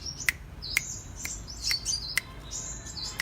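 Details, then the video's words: Kolibri raja (king konin) sunbird in lively cetrekan song: loud snapping clicks repeat roughly every half second between thin, very high buzzy trills and short rising notes. "Kicau Kolibri Raja KING KONIN Gacor cetrekan"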